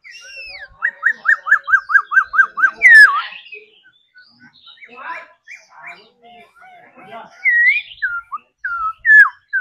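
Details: Laughingthrush trained to sing, opening with a fast series of about nine identical short whistled notes, then a looping slurred whistle, sparse softer notes, and a few clear rising and falling whistles.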